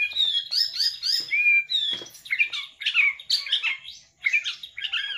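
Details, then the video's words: A white-rumped shama delivers its lavish filler song in varied phrases of clear whistles, rising and falling slurs and scratchy notes, separated by short gaps. "MURAI BATU KAPTEN JRG || IDENTIK GAYA SUJUDNYA ,TEMBAKAN ISIANYA YANG MEWAH"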